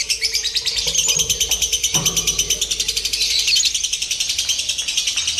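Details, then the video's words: Lovebird in singing-competition simulation training: sustained high, scratchy chattering trill in quick regular pulses, with a soft knock partway through and low background hum. "SIMULASI LOMBA TERBARU : TERBUKTI AMPUH MELATIH MENTAL LOVEBIRD"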